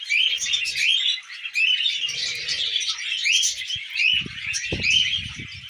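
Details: Pet budgerigars feeding on millet, giving repeated rising chirps within a dense high warbling chatter, alongside low knocking and pecking sounds in the second half.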